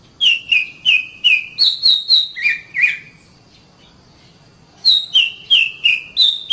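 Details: Oriental magpie-robin, a caged bird, sung for training, best done in the morning or afternoon: loud clear whistled notes near the top of the range, falling slurs repeated in quick series, a pause, then more bright whistles.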